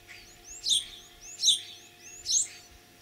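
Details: Common starling mimicking other birds in spring, Kalyazin district, Tver region, Russia, 9 April 2023; a loud, very high whistled phrase of thin glides ending in a bright chirpy burst, given three times at regular intervals.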